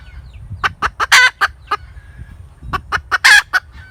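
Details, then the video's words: Two cackling phrases from a hen, each a quick run of clipped clucks rising to one loud, drawn-out squawk, with a faint thin whistle between them. "ສຽງໄກ່ແມ່ກະຕາກ suab poj qaib tsauj zoo"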